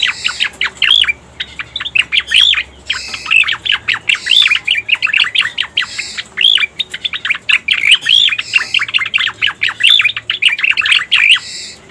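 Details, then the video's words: Striated grassbird calls used to lure wild birds: a continuous, busy stream of quick chirps and sweeping notes, rising and falling in loud bursts about every second. "Suara Pikat Burung Cica Koreng"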